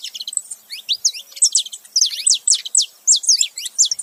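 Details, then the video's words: Saffron finch pair, male and female together, calling: quick high downward-slurred chirps repeated about twice a second in an uneven stream, clear and close. "canário da terra macho e fêmea junto fazendo barulho"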